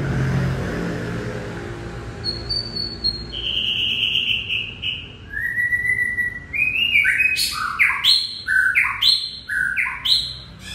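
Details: White-rumped shama in a warbling song: long pure whistles stepping down in pitch, then a fast run of sharp rising and falling notes repeated several times, over low background hum.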